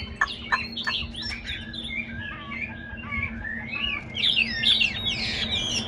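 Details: Caged Chinese hwamei kept as a songbird, delivering a rich, fast run of varied whistled phrases, slurred up and down, with quick chirps crowding together throughout.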